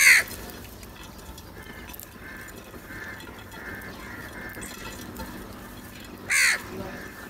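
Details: Crows heard in a recording described as showing them fighting over food: a harsh, broadband caw opens and another bursts out near the end, with faint repeated higher notes and a low background hiss between them.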